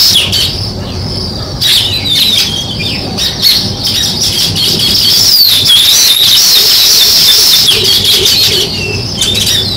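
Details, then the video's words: Sparrow chirping in a natural setting: a dense, continuous chatter of high twittering notes and short rising and falling chirps, many overlapping, with a steady low hum underneath. "Sparrow Chirping Sounds | Natural Sparrow Sound"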